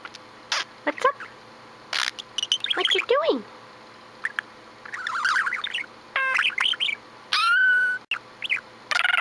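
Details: Pet budgie's varied chatter, mixing falling squeaky notes, soft scratchy warbling and a long, steady whistled note with sharp chirps at the end.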